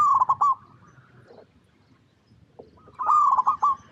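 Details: Local zebra dove from Indonesia giving trilled, warbling coos: a short loud burst, a pause with faint low notes, then another loud rippling coo phrase.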